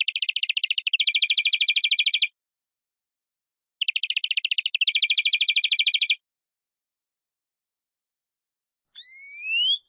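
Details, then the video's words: European greenfinch singing two buzzy, fast trill phrases, each with a higher-pitched part followed by a lower one, then a few rising whistled notes after a long pause. "Carduelis Chloris Verderon song"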